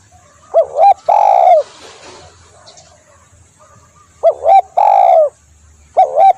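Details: Spotted dove cooing for bird luring: a quick two-part coo then a long mellow note, repeated after a pause, with a brief rustling noise between phrases and a third phrase starting at the end.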